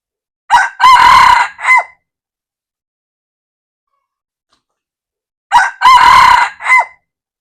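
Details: Red junglefowl, recorded 1/2/2024, giving two brief four-part crows about five seconds apart, each harsh and hoarse with a stretched middle syllable and a sudden stop, over a silent background.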